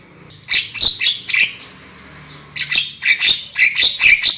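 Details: Javan myna lure song for prompting birds to sing loudly: bursts of harsh, scratchy chatter and squawky notes in two clustered runs separated by a quiet gap of about a second.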